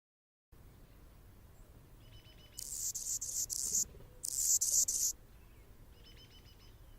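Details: Anna's hummingbird singing from a branch in Golden Gate Park, San Francisco, California: two clusters of high, grating, buzzy pulses, with faint softer chirping from another bird before and after.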